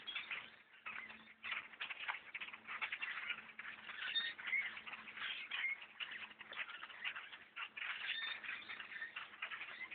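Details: Massive blackbird flock overtaking a tree stand during a bow hunt, possibly starting to leave; continuous loud chattering of many birds, shrill chips and squeals blending into one churning mass of sound.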